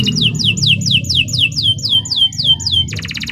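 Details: Canary of the Nusantara type in long song for training other birds: a clear series of about eleven downward-sliding whistles, roughly three per second, ending in a rapid high trill, over low background rumble.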